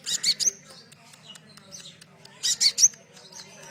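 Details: Sunbird recorded to encourage caged birds to sing: two bursts of shrill high chirps about two seconds apart, quieter scattered notes in between, faint low hum behind.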